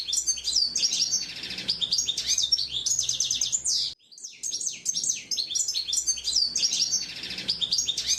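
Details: Hooded siskin singing in the wild: a fast, high twittering stream of tinkling trills and sliding chirps, loud and continuous, briefly broken by an abrupt pause midway before resuming.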